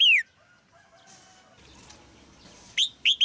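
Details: Caged female red-whiskered bulbul singing to stimulate an adult male: a loud, arched, whistled note at the start, a quiet gap with faint background sounds, then two more bright, downslurred whistles at the end.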